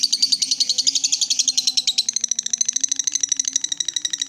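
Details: Lovebird in ngekek style, a long continuous chatter given when excited and provoked: rapid dense rattling high notes, about ten per second, running unbroken for over four seconds with a faint low hum beneath.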